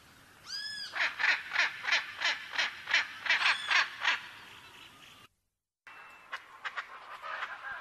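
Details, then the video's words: Macaw giving about ten regular raspy squawks. Smooth, ringing whistled calls from another bird are heard at the start and middle, then a short gap and scattered faint calls. "Arara Cantando"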